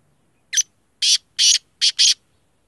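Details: Black francolin giving its grating, rasping call: a short opening note followed by four loud, harsh, buzzy notes in quick rhythmic succession, all within about two seconds, with near silence before and after.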